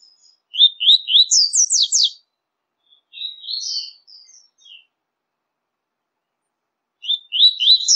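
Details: Double-collared seedeater song for warming up kept birds: rapid rising chirps flowing into a steep repeated trill, a softer twittering middle phrase, then the chirp series starting again.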